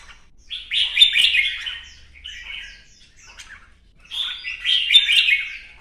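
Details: Red-whiskered bulbul in new plumage, caged and performing a singing contest display: two loud bursts of sweet, slurred chirping whistles separated by a softer, scattered stretch of short notes.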